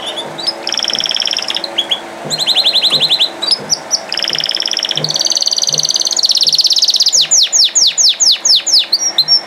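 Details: Canary song built from rapid rattling rolls, each held for about a second, shifting between pitches, then ending in a fast run of sharp downward-sweeping notes, over a faint low hum.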